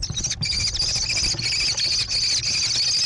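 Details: American kestrel chicks in a gravel-floored nest box on a barn near Prairie du Chien, Wisconsin, overlooking meadows, give a continuous, high, buzzy whining trill with no breaks over a low rumble, 14 June 2022.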